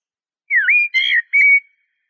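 A Eurasian blackbird gives a short fluted phrase of three mellow, slurred whistles, the first dipping then rising, against a silent background.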